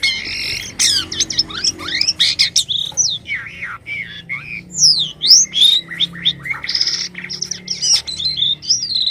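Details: White-vented myna singing actively with strange sounds: a busy run of high whistled slurs, sharp chirps and harsh squawky notes, with rapid rising and falling strokes packed closely together, and a faint low hum underneath.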